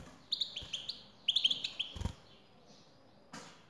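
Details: European goldfinch female calling to prompt a male to sing: two clustered runs of quick, high, upslurred tweets, then a quiet gap broken by soft knocks.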